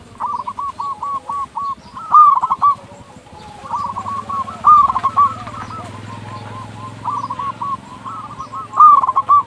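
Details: Zebra doves of a local strain, sung to make other doves call quickly: overlapping runs of short, rolling coo notes come and go over a steady low background hum.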